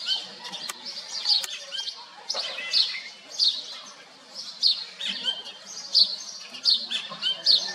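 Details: A Himalayan black bulbul (Microscelis psaroides) singing in Kashmir, giving squeaky, nasal, high notes in short bursts about once a second, with soft background rustle.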